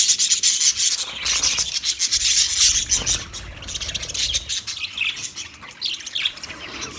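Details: Budgies in a continuous flock chatter of rapid scratchy chirps, warbles and rasping notes with no pauses.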